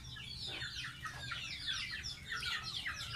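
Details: Domestic gosling, a pet, bathing: a run of shrill downward-slurred cheeps, several per second, with a quiet low hum underneath.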